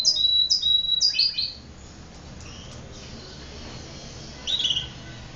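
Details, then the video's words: Domestic canary song: a run of sharp high repeated chirps, a pause with faint notes, then a short burst of warbled notes. "The sound of a very sweet canary bird was heard"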